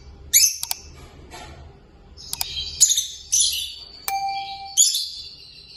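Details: Peach-faced lovebirds, a kept pair singing and playing together, give loud, shrill, squeaky chirps in irregular clusters with sharp clicks between them and one brief clear whistled tone, against a quiet low hum.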